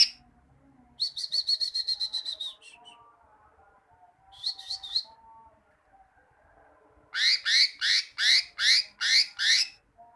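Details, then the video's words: Greater green leafbird song used as tutor material so kept leafbirds sing often: a rapid trill of bright notes, a shorter burst, then six loud, evenly spaced two-toned chirps, with a faint low hum throughout. "Masteran cucak ijo, masteran burung cucak ijo agar cucak ijo rajin bunyi"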